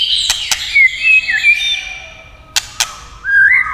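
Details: White-rumped shama, stirred to sing by tail-tapping sounds, gives long slurred whistles and a rising whistled note at the end, separated by sharp tapping clicks.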